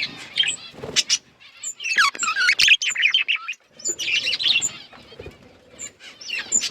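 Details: Budgerigars kept as colourful pets chatter in bursts of squeaky warbling and quick rising chirps, separated by short pauses and light clicking.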